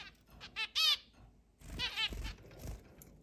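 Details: Captive zebra finches, eight birds living in a roomy cage and allowed to fly around the house: a short run of nasal beeps, then a quieter second burst of honking notes over low rustling thumps.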